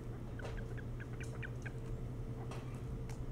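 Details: Nest-camera recording of an osprey at the nest, Hog Island near Bremen, Maine, before dawn on 3 July 2018; quick repeated high chirps in a rapid series, with a constant low hum underneath.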